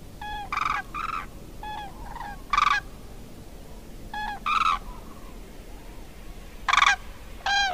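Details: Common cranes (Grus grus) in Córdoba give loud, rolling trumpeted calls in short bursts, sometimes paired, repeated irregularly against a soft background hiss.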